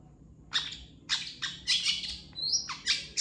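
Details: Long-tailed shrike singing a master song used to train other birds: harsh, buzzy bursts about every half second, the last phrases ending in a thin rising whistle, over faint low hum.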